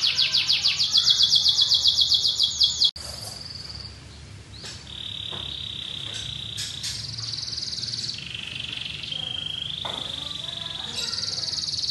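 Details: White canary singing energetically: a fast high trill for three seconds, then held steady whistled tones and rolled notes at changing pitches, with soft background hiss.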